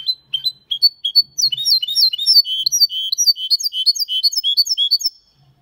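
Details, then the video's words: Hybrid of goldfinch with canary delivering an elegant Málaga copy song without errors: a few quick upward-flicking notes run straight into a long, dense, jingling series of high twitters, nearly five seconds of continuous song. "Mixto de Jilguero Cantando Limpio (Video HD)Mulet de Chardonneret X canari /hybrid goldfinch singing"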